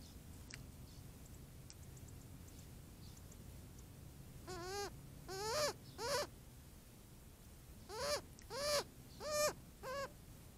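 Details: A young Cooper's hawk at a desert watering hole in Tucson, Arizona, in hot weather, complains to its mother, apparently begging to be fed. Its whiny, arched, nasal cries come three in quick succession, then a pause and four more, over a quiet background.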